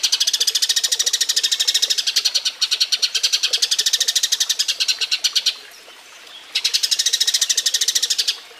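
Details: A Eurasian tree sparrow's mating call, offered as a master song for songbird training: a long unbroken run of fast, harsh high chirps for over five seconds, a short pause, then another chattering burst.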